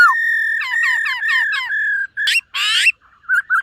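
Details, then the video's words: Silver-eared laughingthrush in morning singing practice: steady whistled notes broken by quick repeated downward flicks, then two harsh, scratchy bursts and a few short soft whistles. "Khướu BẠC MÁ hót MÚA luyện giọng . Khướu hót sáng luyện giọng kích bổi"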